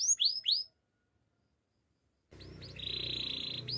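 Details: Spanish Timbrado canary for song training: a few rising whistled notes, a silent gap, then a steady metallic trill over low background hum.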